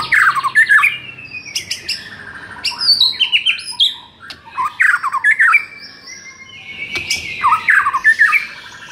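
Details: White-rumped shama song used to rouse a shama that sings too little: varied harsh squawks, swooping whistles and rapid chattering phrases, loud and irregular with short pauses.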